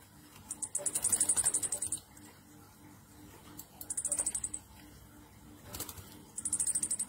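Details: Orange-headed thrush delivering ngecir nratak song, played to encourage other thrushes to sing: repeated loud bursts of quick, shrill chattering trill notes, some over a second long, separated by short pauses, with a faint low hum beneath.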